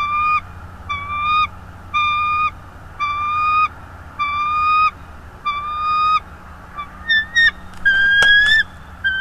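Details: Bald eagle at a nest in North East Florida, recorded on a nest camera on 24 January 2022 at 16:40: a steady series of sharp, clear piping notes repeated about once a second, ending in a few higher, quicker chattering notes over low background hum.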